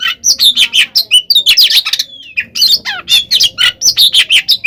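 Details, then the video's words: Oriental magpie-robin in fighting song, meant to make other birds answer: loud choppy phrases of whistles and rasping chatter, one long drawn whistle midway, then rapid rhythmic notes. "kacer gacor NGEPLONG tarung ini AMPUH buat PANCINGAN KACER agar EMOSI NYAUT"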